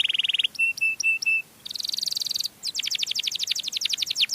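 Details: Canary song, played to lure other canaries: a high, loud run of distinct trill phrases. A fast buzzy trill, then a few separate clipped double notes, then a rapid rattling trill, and finally a series of quick sweeping notes, all with a clean background.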